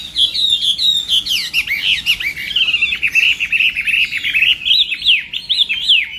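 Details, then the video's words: Chinese hwamei contest singing during morning training: a bright, high, continuous run of tumbling whistled notes and rapid slurred chirps, loud throughout. "Hoạ Mi Hót Đấu /hoạ mi hót sáng luyện giọng"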